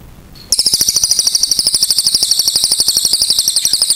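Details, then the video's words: Cililin singing one long, unbroken, very fast high trill of sharp clicking notes that carries on for over three seconds after a brief quiet start. "CILILIN GACOR NEMBAK PANJANG SUARA JERNIH"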